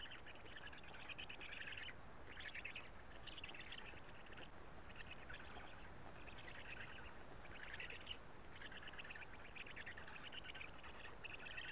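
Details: Black stork nestlings at a nest in Karula, 3 June 2017, late morning, as the adult male arrives and feeds them: rasping, buzzy chatter in short bursts of about a second, repeated with brief gaps, over steady background hiss.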